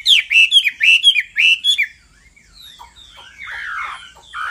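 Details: Chinese hwamei (Garrulax canorus) male singing in response to the female's repeated calls: a quick run of about six loud, rich, slurred notes, then softer, varied warbling phrases.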